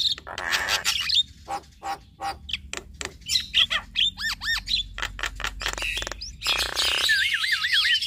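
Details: Duet of a male and female Javan myna: rhythmic clicking notes, looping whistled phrases, then a harsh rasping stretch with wavy, warbling whistles over it.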